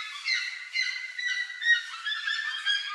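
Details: Several plush-crested jays taking corn from a trail give harsh, nasal honks that rise and fall in loose bursts and overlap one another. Louder peaks come about every half second.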